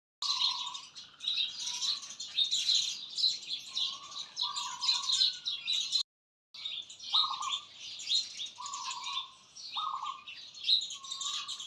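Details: Dense chorus of birdsong in a natural setting: busy high chirps and twitters overlap continuously, with short level whistled notes lower down recurring every second or two, and a brief gap midway.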